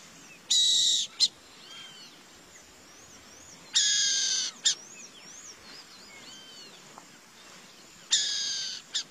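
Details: Burrowing owl calling in harsh, buzzy rasps, three long hisses spaced about three to four seconds apart, each closed by a short sharp note, while other birds whistle softly between them.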